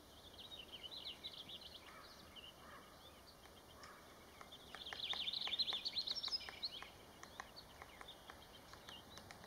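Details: Black-backed woodpecker (Picoides arcticus) giving sharp, high clicking notes that run into a quick chattering burst midway, over a steady background hiss; Malheur National Forest, Harney County, Oregon, USA, May 21, 2019.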